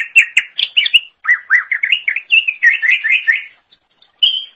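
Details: Lively Greater green leafbird song for songbird training: a continuous stream of rapid, slurred whistles rising and dipping, finishing with a lone clear note after a short pause.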